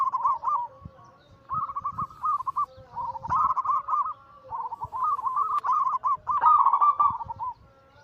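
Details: Perkutut (zebra dove) anggungan song, kept as a daily trigger recording for trapping: stuttering bubbly cooing phrases follow one another almost without pause, several voices overlapping, with a soft low background murmur.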